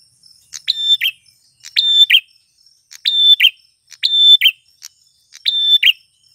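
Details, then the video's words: Repeated male grey prinia phrases for luring wild females: five bouts in quick succession, each a steady high whistled tone followed by a brief rasping downslur, separated by short silent gaps. "Suara Prenjak tamu klawu jantan gacor - MP3 PIKAT burung pernjak betina liaran di alam paling AMPUH"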